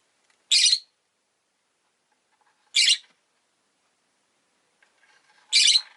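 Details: Two rosy-faced lovebirds huddled at an entrance give three harsh, shrill chirps spaced roughly two and a half seconds apart, with faint rustling before the last call.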